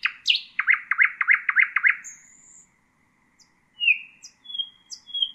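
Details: Song of a nightingale meant for teaching chicks: a rapid burst of seven identical sharp rising-falling notes, a pause, then scattered high thin whistles and a descending slur.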